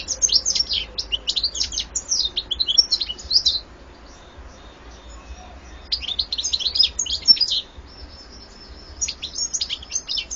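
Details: European goldfinch delivering bursts of bright, fast twittering song, with a phrase of several seconds, a pause of about two seconds, then another tinkling run and a final shorter burst.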